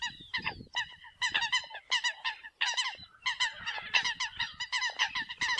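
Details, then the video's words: Eurasian coots used as a decoy call: rapid, overlapping short honking notes from a group, growing denser toward the end with hardly a break. "TIEN CHIM SAM CAM CUC CHUAN TIENG CHIM MOI 2020"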